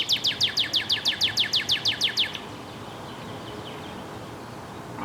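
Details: Northern cardinal giving a fast, even trill of about thirteen short slurred notes over two seconds, followed by quieter background hiss.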